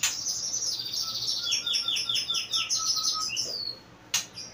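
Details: Caged white-rumped shama, aged two, singing a rapid series of high chirps that fall in pitch and repeat evenly, over a lower steady whistle, ending with a sharp click.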